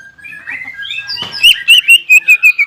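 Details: Greater green leafbird in vigorous song meant to provoke rival leafbirds: a soft rising warble that breaks into a rapid train of about eight loud, bright, evenly spaced whistled notes.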